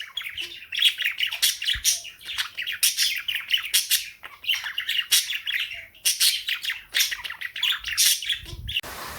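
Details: Female pet cockatiel and budgies in a morning chorus; a long run of fast, rhythmic chirps, squawks and warbles in overlapping pulses, getting noisier at the end.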